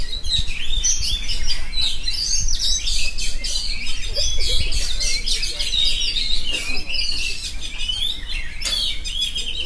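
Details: Oriental magpie-robin delivering nonstop 'ngerol' song, a loud mixture of piercing chirps, rapid twitters and short bursts of whistled phrases with almost no gaps.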